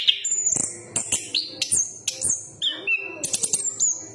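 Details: Chestnut-capped thrush giving spaced, very high whistled notes and a few lower slurs, separated by sharp percussive clicks.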